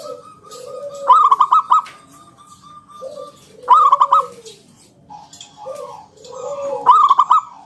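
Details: Local zebra dove performing 'ngalun kung bulat' to coax other doves to sing: three bright bursts of five fast, evenly spaced coos roughly three seconds apart, with gentle arched coos from neighbouring doves between them.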